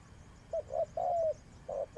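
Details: Spotted dove kept as a decoy bird for trapping, giving a short series of soft low coos, one longer drawn-out note in the middle, against a quiet background.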